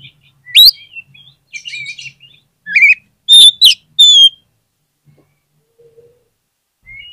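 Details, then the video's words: Oriental magpie-robin song played as a lure to stir lazy magpie-robins into singing and answering quickly: sharp, rising whistled notes in loud bursts around three to four seconds, with soft chattering phrases and pauses between. "PANCINGAN KACER PALING AMPUH UNTUK RANGSANGAN KACER YANG MALAS BUNYI AGAR CEPAT NYAUT"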